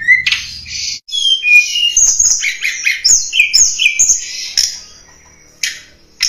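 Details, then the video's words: Lure song of a snowy-browed flycatcher for attracting wild birds: an opening lower whistle, then a dense jumble of high chirps and downslurred notes, fading into quiet before two short high bursts. "Suara Pikat Tledekan Gunung"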